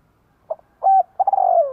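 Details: Spotted dove giving a calling coo used to lure others: a short note, a flat coo, then a longer trilled coo sliding down at the end, all low and mellow.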